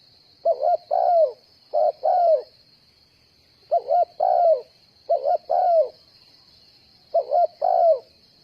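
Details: Decoy spotted dove used for trapping, giving five cooing phrases spaced unevenly. Each is a short stuttered double note and then a drawn-out falling coo, over a constant high-pitched hiss.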